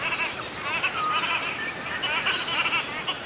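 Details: Cotton Pygmy-Goose (Nettapus coromandelianus) giving its flight call, nasal, wavering, chattering notes in quick bursts, with a steady high insect-like hiss underneath throughout.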